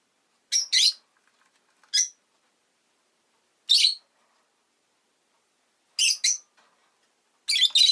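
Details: Pet rosy-faced lovebird giving loud, rasping chirps in singles and doubles, spaced one to two seconds apart, ending in a longer scratchy squawk.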